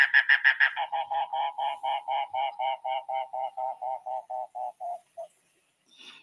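Mangrove Cuckoo giving a long series of about twenty nasal, croaking notes, about four per second, that slow and fade at the end; a faint rustle follows.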